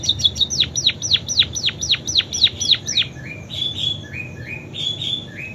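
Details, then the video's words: Munia singing canary imitations: quick repeated downward-sweeping whistles about four per second, then slower mixed notes including short rising chirps and level high whistles, with a quiet background hum. "Burung PIPIT Full isian KENARI"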